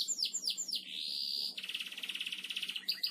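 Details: Canary singing in a master recording for training birds: quick downward-swept chirps, then a long sustained high whistle, followed by a rapid rattling trill and a few final chirps over faint background noise.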